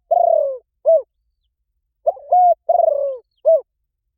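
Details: Spotted dove coo in the gáy gọi rút bổi calling style, meant to make other doves answer: two phrases, each a long pulsed, gently falling coo followed by a short rounded note, with a clipped two-part note opening the second phrase.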